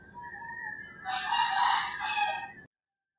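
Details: Rooster crowing in early morning in rural Philippines; one drawn-out, harmonic crow swells and fades over about a second and a half, with a faint bird note before it, then cut off abruptly.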